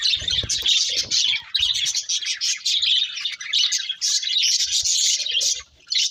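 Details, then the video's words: Several budgies warbling while eating, a thick layer of high, scratchy chirps and trills, with soft low knocks and clicks mixed in at the start and around one and a half seconds. "Beautiful Budgies Singing and Eating | Love Birds Chirping Sounds"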